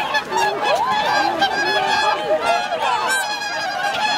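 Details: Wintering swan flock on Lake Hyoko, a Ramsar wetland in Agano City, Niigata, Japan, on 8 January 2022 with 2,628 swans counted; many overlapping bugling honks, some sliding up and down, form a continuous chorus.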